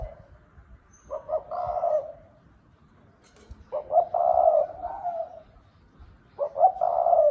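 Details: Spotted dove singing the đồng thúc bổi cooing style, three low mellow phrases, each opening with clipped double notes and ending in a long, slightly wavering coo, spaced about two to three seconds apart.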